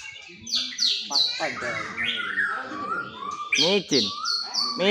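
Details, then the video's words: White-rumped shama performing in a bowing display while delivering rich fill-in phrases; a fast, varied run of whistled, sweeping and buzzy notes, some sliding down sharply, others rising, packed closely with few pauses, with background music. "murai batu pastol Tiki-Taka tampil sujud buang isian mewah"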